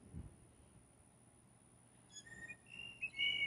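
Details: Several blue jays competing for a single female; after a quiet stretch, a run of short, high, piccolo-like whistled notes builds to a longer bright whistle at the end.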